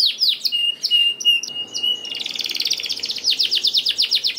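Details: Canary lure song to make lazy canaries sing: mixed sweeping whistles over a steady clear tone, followed by an extended fast rattling trill of rapidly repeated chirps.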